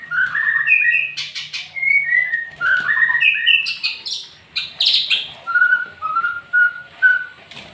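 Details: White-rumped shama in a bowing display style giving varied whistled song phrases, some buzzy bursts mid-way, then a series of about five similar clear falling whistles repeated roughly every half second, over a faint low hum.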